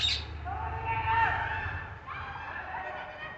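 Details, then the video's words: Parrots calling: drawn-out, harmonic, nasal notes that waver up and down, running nearly continuously with a brief break near the two-second mark. A low background hum is also present. "Parrots making their sounds"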